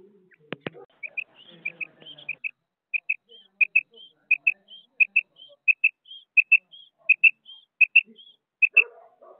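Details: Female quail, known locally as batair madi, calling in a quail-hunting setting in Pakistan: sharp paired high notes repeated about every 0.7 seconds for roughly eight seconds, with two loud knocks at the start and a faint murmur of voices.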